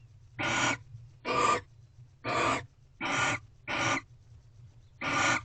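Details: Barn owls mating at an owl box in a corral on the sixth night, 24 February 2023 near 6 am: six harsh, raspy screams at irregular spacing against a quiet low hum.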